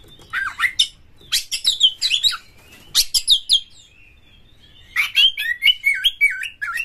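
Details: Oriental magpie-robin song meant to get other magpie-robins singing and opening their tails: clusters of harsh, rapid chatter, a pause, then a string of wavering, bubbling whistles.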